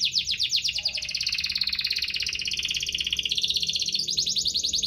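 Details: Rolling canary song meant to coax reluctant canaries into singing: one long, dense, rapidly pulsed trill that shifts slightly in pitch without a break for nearly five seconds.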